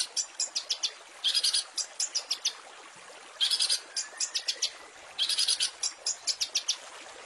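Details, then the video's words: Long-tailed shrike master recording of varied song material for tutoring cage birds: quick, dry ticking notes in steady runs, broken about every two seconds by denser, scratchy, buzzing clusters. "Masteran Cendet full isian mewah"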